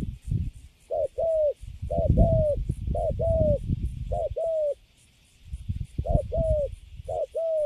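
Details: Spotted dove caught and kept in a cage, cooing steadily; repeated low paired coos, short note then drawn-out falling note, about once per second, over rumbling low knocks and handling noise.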